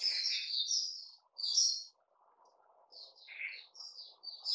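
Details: Softer, more distant-sounding song from a caged Puteh Raja bulbul: scratchy chirps and slurred notes in short separate bursts over a faint low background hum.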